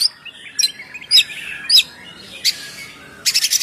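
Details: Oriental magpie-robin in ngeplong song used to make birds sing: spaced sharp high whistles roughly every half second over soft chatter, ending in a quick buzzy trill.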